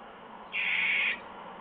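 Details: Owl at a nest just after midnight on 9 July 2015, one bird going inside, giving a single harsh, breathy hiss-like note lasting about half a second over quiet background noise.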